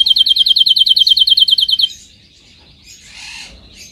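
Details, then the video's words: Canary song recorded for training canaries to sing: a rapid, even trill of about fifteen bright repeated notes lasting nearly two seconds, then quiet with a soft burst of twitter. "Canary singing"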